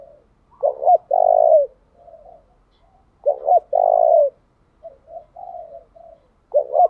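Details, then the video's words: Decoy spotted dove calling to lure wild doves, varying its song continuously: loud low cooing phrases near 500–800, a short double note then a long drawn coo, answered by softer murmuring coos, repeating about every three seconds. "Tiếng chim cu gáy thúc bảo đảm bổi nghe gáy liền, chim cu gáy mồi đảo bài liên tục"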